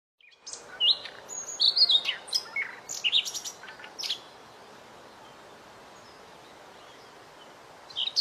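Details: White-rumped shama, a small bird, in a training recording for other songbirds. It sings a rapid burst of varied high whistles, chips and rattling notes for about four seconds, falls quiet over a faint hiss, then starts again at the end.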